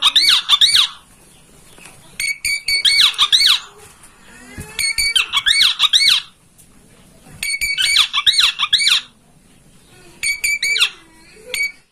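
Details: Oriental magpie-robin master song, played to make a kept bird fan its tail and sing: harsh, buzzy chattering bursts with stacked bright notes, repeated in five bouts about two seconds apart, quiet between.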